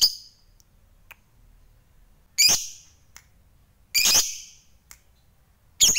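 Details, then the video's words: Lovebird of fighter type giving short harsh squawks, three loud bursts about one and a half seconds apart with faint clicks between, rather than its long chattering song. "NGEKEK TERUS Memancing EMOSI Lawan, Lovebird Fighter Ngekek Panjang"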